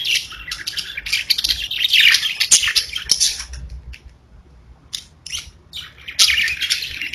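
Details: Kept budgies chirp and warble in a dense run of squeaky, buzzy notes, then pause briefly before short chirps and another chattering burst return.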